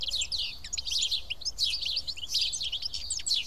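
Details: Seven sparrows feeding as a group at Karyotissa, Greece, fill the air with a thick, unbroken wash of high, overlapping twitters and chirps, with no single caller standing out.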